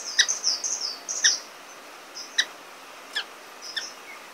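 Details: High, thin sliding whistles from an orange-cheeked waxbill (Estrilda melpoda), alternating with sharp dry ticks about once a second, fading to sparse clicks and brief faint whistles.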